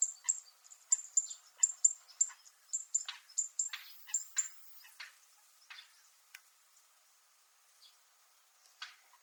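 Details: Zitting cisticola (Fan-tailed Warbler) on Miyako Island, Japan, making its metallic sound: rapid high ticking chips in a regular series for about five seconds, then tapering off into scattered faint clicks.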